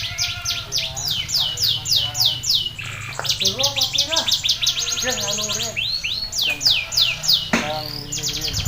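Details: Canary that became a contest winner after being taught ciblek-style song delivers long, fast trills of high descending sweeps, varying in speed, with some lower warbled notes in between and a constant low hum behind.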